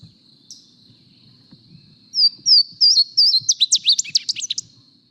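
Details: A Louisiana Waterthrush song is played back: three or four clear, slurred, descending opening notes, then a rapid, jumbled twitter of hurried notes at the end.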